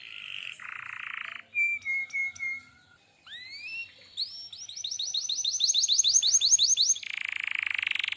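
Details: Active canary song with a harsh buzz, short whistled notes, two rising slurs, then an accelerating rolling tour of repeated sweeping notes and a final buzzy phrase.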